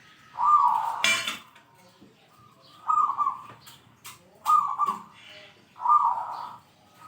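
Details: Zebra dove singing vigorously with a big 'kung' voice, said to excel at calling out rivals: four low, rolling cooed phrases, each under a second, spaced about one and a half seconds apart, with a brief sharp click between the first two.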